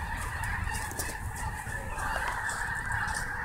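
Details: Snohomish snow goose flock, a short burst of dense honking chorus that grows a little brighter after two seconds, with low rumble beneath.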